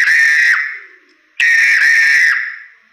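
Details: Crested myna song used as a tutor recording for training other songbirds: two loud, harsh, screeching notes, each about half a second to one second long and rich in overtones, separated by a short silent gap.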